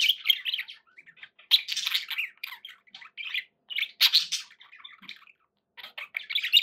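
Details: Several pet budgies warble and squawk together, busy overlapping chirrups and harsh scratchy notes in uneven bursts with a few short silences.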